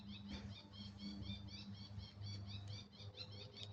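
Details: Unidentified bird singing somewhere among trees: a fast series of thin, high chirping notes repeated steadily, faint and partly masked by a low rumbling hum.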